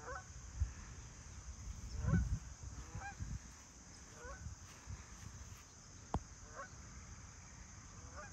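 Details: Farm geese flying over in Ohio on 29 September 2024: scattered nasal honks, some rising, spaced irregularly about a second apart, over a steady low rumble, with one sharp click partway through.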